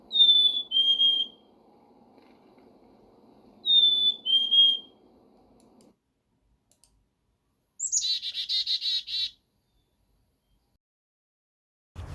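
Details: Black-capped chickadee (Poecile atricapillus), song and calls.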